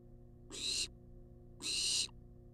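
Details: Begging barn owl, wild, in a research nest box on a live camera, demanding food with two broad rasping hisses, each about a third of a second long, roughly one second apart, a low hum underneath.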